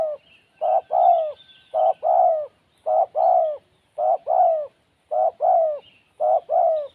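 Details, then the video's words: Spotted dove in the wild, said to be timid, giving a steady string of two-part coos, a clipped note followed by a drawn-out lower one, about six pairs over several seconds. "Burung Tekukur Liar Kurang Mental"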